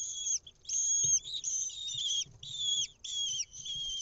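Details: Young lesser kestrels at a monitored nest in Israel, May 2021, begging as their mother arrives with an insect: loud, high, quavering screeches in repeated bursts about half a second apart, several chicks overlapping.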